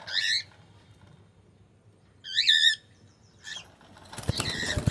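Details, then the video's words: Cockatiel with three separate harsh, rising-falling screeches spaced about a second apart, the middle one loudest, followed by a burst of wing flapping and rustling. "Cute Cockatiel"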